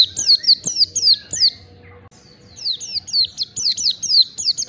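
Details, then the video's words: Oriental white-eye song meant for training caged birds to sing out (ngalas): rapid high slurred notes falling in pitch, about three per second, a brief gap, then a second quick series of bright downward whistles. "masteran pleci agar cepat ngalas bukpar"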